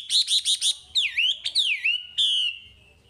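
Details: Chinese hwamei song used to coax untrained hwamei: four quick repeated whistles, then long down-then-up swooping slurs, ending in a steady held whistle that fades out.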